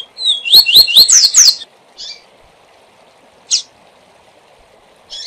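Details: Double-collared seedeater (coleiro) singing the SIL SIL ZEL ZEL song type as a tutor bird for learning: a fast burst of high, slurred whistled notes lasting just over a second, then scattered single sharp chirps over faint steady hiss.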